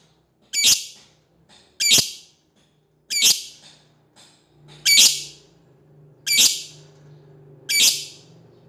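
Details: Lovebird calling to an opponent with six piercing, rasping squawks at steady intervals of about 1.3 seconds, over a low steady hum in the background.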